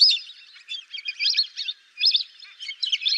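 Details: Lesser whistling ducks giving quick, high, twittering whistled notes in short overlapping bursts, with a near gap in the middle before the chirping resumes.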